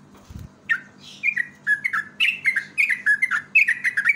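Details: Yellow-vented bulbul giving its lively pancingan lure song: after a soft rustle, a run of bubbly, liquid whistled notes, each slurring downward in pairs, tumbling quickly over about three seconds, over a steady low hum.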